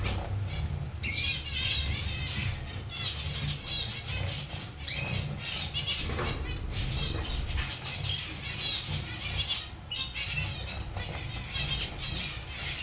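Zebra finches give a steady stream of nasal, buzzy chirps and short twittering notes over wing flutters.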